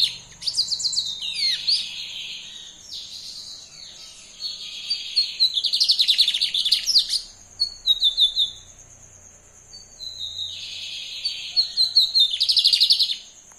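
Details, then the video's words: Brown-plumaged lined seedeater in lively, repeated song: bouts of rapid buzzy trills and sweeping chips, each lasting several seconds, separated by short silent gaps. A persistent high electronic hum sits in the background. "ESSE BIGODINHO PARDO TA LOUCO DE MAIS!"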